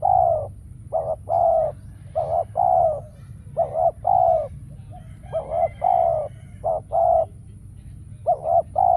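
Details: Spotted dove acting as a decoy during trapping, calling persistently; a series of about seven two-part cooing phrases, clipped double note then a long mellow coo, evenly paced, with faint chirps of other birds in the background.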